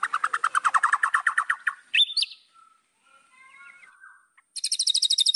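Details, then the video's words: White-rumped shama song meant to rile up rivals: a long rapid rattling trill, a sharp upward whistle, soft quiet warbles, then a bright fast high trill. "MASTERAN MURAI BATU. AMPUH PANCING EMOSI LAWAN"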